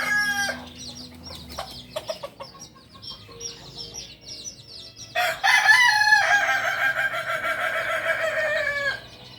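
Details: Kokok Balenggek rooster, the native singing chicken of Solok, Indonesia, bred on a farm: brief harmonic notes open, then a long loud multi-syllable crow of stacked rapid pulsing notes from about five seconds, with small birds chirping behind.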